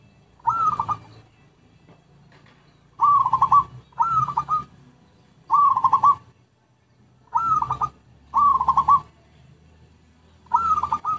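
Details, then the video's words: Repeated zebra dove song used as a lure: seven short burbling coo trills over about eleven seconds, some in quick pairs, with quiet pauses between. "MP3 Pikat Merbuk/Perkutut"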